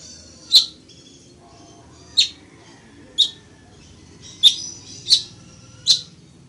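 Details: Village weaver, known locally as chichiguao, recorded for teaching birds to sing: six sharp, high chips spaced one to two seconds apart, with a faint low hum beneath.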